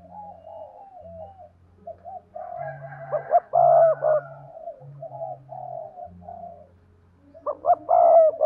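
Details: Spotted dove decoy calling to draw in wild doves, with soft murmuring coos, a loud cluster of arched coos midway and another at the end, over intermittent low humming tones.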